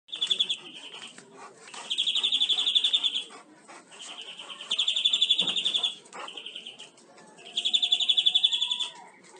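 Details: European greenfinch song used for tutoring captive birds: bursts of rapid, buzzy trills high in pitch, each lasting about a second, with quieter chirps between them.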